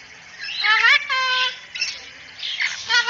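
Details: Cockatoo in a training recording of a bird talking "assalamualaikum": a rising nasal voice-like phrase, a flat held note, then scattered hoarse bursts and a final rising note.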